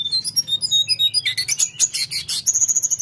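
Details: High Sunda forktail song, with dense pulsing chatter of shrill notes that quickens into fast, bright trills, over a steady low hum.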